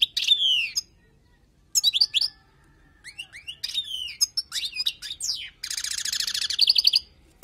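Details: Wild European goldfinch singing a teaching song: bright twittering phrases separated by short pauses, with sliding liquid notes, ending in a long buzzy, rattling trill.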